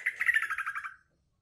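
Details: Green leafbird giving a trucukan-style fill phrase: a fast, even trill of bright pulsed whistles, about ten beats in under a second, that stops abruptly into silence.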